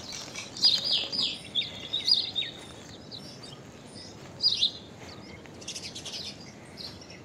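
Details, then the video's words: Common myna, a territorial starling of Asia adapted to urban settings, uttering a series of squeaky, slurred whistles and chirps in quick bursts, with later scratchy chatter and steady background hiss. "Common Myna Unusual Call! Common Myna Song! Common Myna Sound! Common Mynah Call! Song! Sound!"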